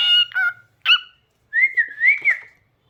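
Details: Cockatiel singing at home: two or three harsh, harmonic squawks, then a smooth whistled phrase that wavers up and down in pitch, ending in short chirps.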